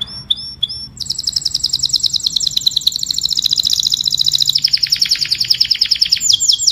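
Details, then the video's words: Canary singing to call the flock: a few sharp high notes, then a long fast rolling trill of rapid high pulses that drops lower near the end, finishing with bright chirps over faint background hum. "Tiếng chim Hoàng Yến hót gọi đàn"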